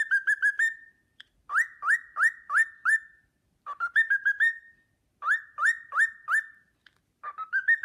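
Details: Melody of the Sportpalast Waltz from a whistling pet cockatiel: a fast opening trill, sets of four swooped clear notes, then rapid stepped trills, each phrase ending in a drawn-out fading tone.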